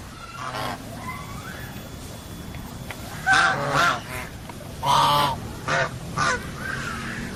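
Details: Geese give scattered honks, faint at first, then louder harsh nasal calls in a loose series, some doubled, over a steady low rumble.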